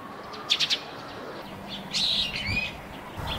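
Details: Eurasian tree sparrows around a roof nest: three quick high chirps followed by a busier run of squeaky twittering notes, some softly overlapping, with a low hum of ambient noise underneath.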